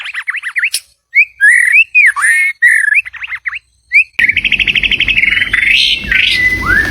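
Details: White-rumped shama song, used as a decoy to call in a mate: rich varied whistles, slurred rising and falling notes with chirps and pauses, then an abrupt switch to a noisier passage of rapid repeated trilled notes and clear falling whistles.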